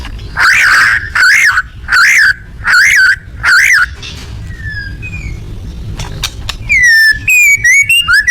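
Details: Loud song of a white-rumped shama: five harsh, wavering notes in a steady series about every 0.65 seconds, then a pause, followed by clear whistled notes, sharp clicks and rapid up-and-down sweeping phrases.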